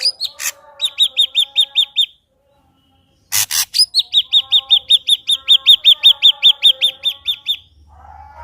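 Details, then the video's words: Ashy drongo singing energetically, used as a lure to prompt another ashy drongo to sing: a harsh note, then a fast series of bright, sharply hooked chirps, a short gap, a loud rasp and a longer run of repeated chirps. "Srigunting abu abu gacor AMPUH buat PANCINGAN srigunting abu biar bunyi"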